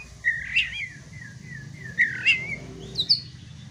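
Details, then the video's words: Kacer, an Oriental magpie-robin, sings a rival-baiting song: rich, warbled, descending whistles repeated in similar phrases, ending with a sharp high note, over a low background hum. "pancingan kacer agar tarung"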